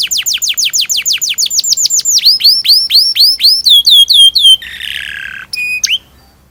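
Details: Canary in long, lively rolling song played as a lure to teach young canaries to sing: rapid repeated high down-slurred chirps, about four per second, then brighter clipped notes, a buzzy rattle and a final whistled note.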